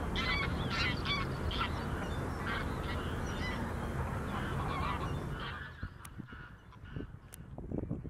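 Greylag geese give a steady stream of harsh honking calls over heavy low rumble for about five seconds, then the scene quiets to a few scattered sounds.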